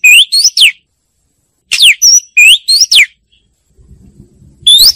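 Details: Song of an Oriental magpie-robin played to attract birds: two bursts of loud whistled notes sweeping up and down, separated by a second of silence, with a low rumble before a final whistle.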